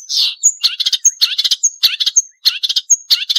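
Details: Marsh warbler song from a recording made as a training model for songbirds, described as sharp, with full variation including sharp chattering: thin high whistled notes alternating with rapid buzzy, scratchy chip clusters, brisk and varied.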